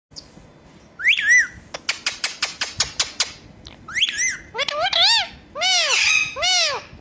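A ringneck parrot mimics a cat, giving arched, nasal meow-like notes between sharp whistles and a quick run of dry clicks.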